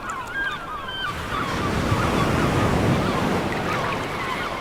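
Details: Gulls calling at a beach over crashing waves: a series of short, harmonic, downslurred cries repeated several times across the first two seconds, then surf and wind noise dominate.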